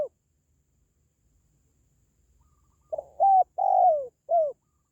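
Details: Spotted dove calling, used to boost the spirit of pet doves or lure wild ones. After near silence, one soft low cooing phrase of three or four notes, the longest drawn out and falling.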